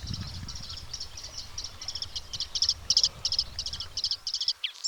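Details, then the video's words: Bluethroat repeating sharp, high double or triple clicking notes about three times a second, steady and rhythmic, ending with a brief rising whistle; quiet background. "Bluethroat Call"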